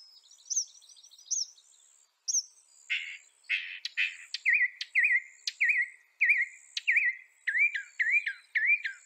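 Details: Northern mockingbird (Mimus polyglottos), North America: song opens with high chirps and harsh, noisy bursts, then turns to a long run of repeated downslurred whistled notes, several per second.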